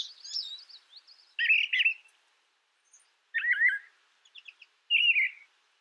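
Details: Brown thrasher singing a few separate phrases: a thin twittering run, then doubled rich warbled notes, a zigzag slurred phrase, and a brief downslurred ending.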